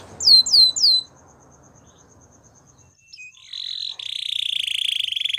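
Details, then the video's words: Gloster canary singing a training song: three loud descending whistled notes, then a pause with a faint thin tone, then a fast buzzy trill held near one pitch to the end. "Gloster Canary Singing | Canary Training Song"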